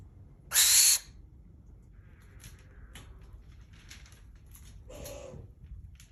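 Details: A captive barn owl in Tokyo gives one harsh, hissing shriek of about half a second, followed by quiet with only faint, soft background rustles.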